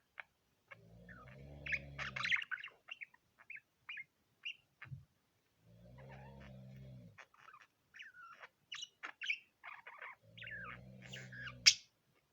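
A budgerigar chatters in quick, scratchy chirps and squeaks, with a low purring rumble recurring beneath.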